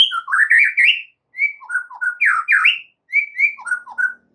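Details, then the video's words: White-rumped shama master song for caged-bird training, delivered in rich, continuous bursts of slurred whistles rising and dipping in pitch, with bright high overtones and brief pauses between phrases. "MASTERAN mUrai batu GACOR"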